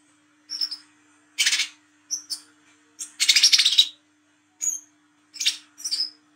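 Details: Olive-backed sunbird (wiceh trotol) singing at night in ngriwik style, used to lure: bright high whistled notes mixed with short buzzy bursts and one longer rasping rattle, uneven spacing, faint steady hum behind.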